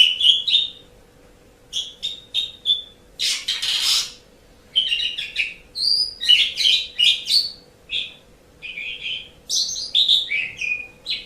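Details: Caged Asian pied starling (jalak suren) singing, used as a master recording to train pet birds; a varied run of short whistled and chattering phrases with one harsh rasping burst, steady faint hum beneath.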